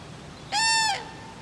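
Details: At Friskalanlahti bay a crane utters one powerful, brassy trumpeting note lasting about half a second. It holds a level pitch, then falls briefly at the end, against a quiet, faintly hissing background.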